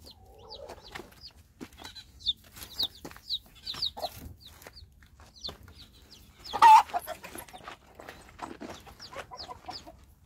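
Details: A mother hen searching for her five newly hatched chicks gives low, throaty clucks, with one louder call near the middle, over steady high, thin peeping from the chicks throughout.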